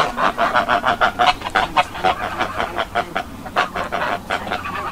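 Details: Geese on a farm give a steady stream of short, nasal honks, roughly one per second, uneven in rhythm and overlapping as several birds call together.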